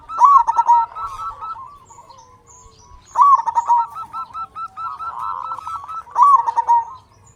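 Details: Vigorous local zebra dove song meant to spur other doves to sing and raise their mating drive: three loud phrases of fast, staccato cooing, about three seconds apart, with quieter doves calling in between.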